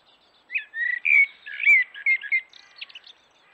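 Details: Morning song of a common blackbird at a forest watering hole: rich, fluty warbled phrases around one pitch band, broken by a few sharp clicks, then fading into thin, scratchy high twitters.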